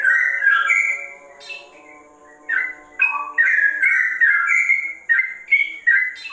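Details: Sooty-headed bulbul singing in a style likened to the straw-headed bulbul: bright whistled notes slurring up and down, a quiet pause mid-phrase, then a lively run of short rising and falling whistles.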